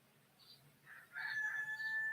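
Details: At 5:45 am on July 6, in a yard with many roosters, a rooster's crow comes loud and drawn out in the second half, a strained held note with a rough edge, after a quieter stretch of faint background noise.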